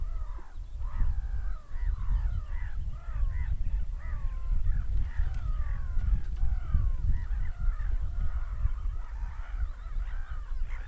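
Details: Many seagulls scream together, a dense continuous chatter of short, downslurred, mewing cries from several birds, set against heavy low-frequency rumble throughout.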